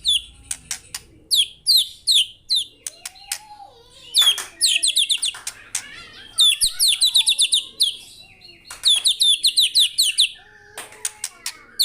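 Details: White-rumped shama delivering loud varied song: quick series of high downslurred whistles, sharp clicks and rapid trilled bursts, repeated phrase after phrase with brief pauses, a faint low hum underneath.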